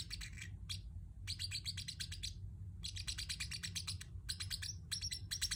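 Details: Chirping of a pet Pacific parrot in quick bursts of high, clipped notes with brief silent gaps between runs, set against a constant low background hum.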